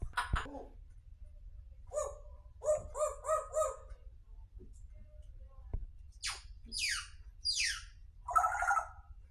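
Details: Talking grey parrot: a run of four quick, even, voice-like syllables, then several sharp downward-sweeping whistles and a final raspy note, with quiet gaps and faint low hum between.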